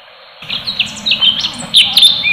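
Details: Orange-bellied leafbird (cucak cungkok) giving its full tembakan song: rapid bursts of sharp, high whistled notes and quick slurred chirps, rising and falling in short phrases after a brief quiet start.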